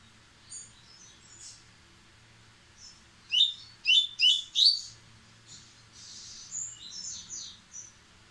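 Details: White-throated seedeater (white-breasted Bahian type) in vigorous song that speeds up: four loud, sharp upslurred notes in quick succession, framed by softer high twittering phrases before and after.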